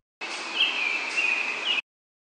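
An American robin gives a short run of high, thin whistled notes lasting about a second and a half, half-buried in a steady background hiss.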